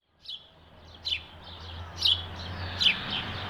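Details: House sparrow giving four short, bright chirps spaced about a second apart, each rising then dropping sharply, over a steady low hum.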